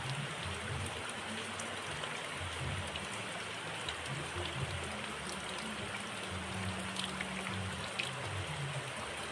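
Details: Steady rain and trickling water hiss across the whole recording, with no clear animal voice standing out.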